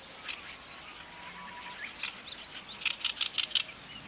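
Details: Japanese swamp warbler singing in reed beds at Watarase retention basin, Japan, where many call around; scratchy notes build into a fast run of five or six loud buzzy clicks near the end.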